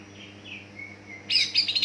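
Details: Greater green leafbird lure song to set young leafbirds singing: a soft descending slurred whistle, then an abrupt loud burst of rich, buzzy high notes.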